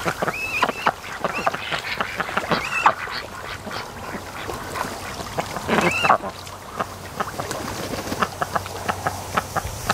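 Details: Raised ducks relaxing in the afternoon sun at a lake near the mouth of a creek, mostly resting and sleeping; a few loud, nasal quacks sound among a steady run of softer clicks and dabbling noises, with a low hum underneath.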